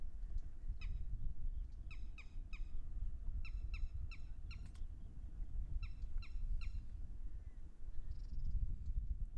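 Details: Red-wattled lapwing, called titeeri or titahri in Hindi, calling in Haryana: loud, piercing, ringing notes in quick bursts of one, three, four and three, separated by short pauses, over steady low-pitched wind rumble.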